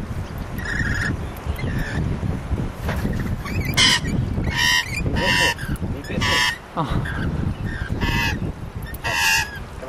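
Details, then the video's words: Sydney lorikeets at Neutral Bay: a series of brief, sharp, grating shrieks repeated at irregular intervals over a steady low urban hum. "Lorikeets in Neutral Bay Sydney"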